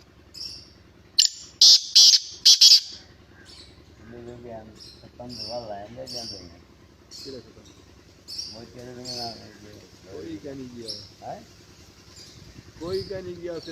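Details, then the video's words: Black francolin, known in Sindhi as Kala Tetar or Chiringa, giving a loud burst of three or four harsh, rasping notes early on, followed by thin high chirps of small birds while a man speaks intermittently. "Chiringa Sindhi Kala Tetar, Black Francolin Beauty Vioce"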